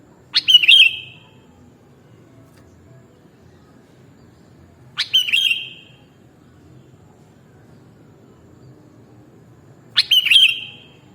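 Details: Sooty-headed bulbul (kutilang) repeating a short bubbly whistled phrase about every five seconds, three phrases in all, with faint low background noise between them.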